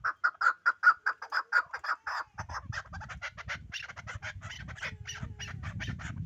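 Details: From the Pamir, a chukar partridge utters clear, evenly spaced clucking notes for two seconds, then keeps calling more faintly under a rise of low background rumble.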